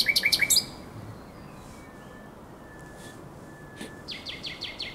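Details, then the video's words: Common nightingale heard at night beside the Żerań Canal in April 2022: a short loud burst of repeated notes, a long pause, then softer rhythmic high notes. "Śpiew słowika rdzawego na Kanale Żerańskim"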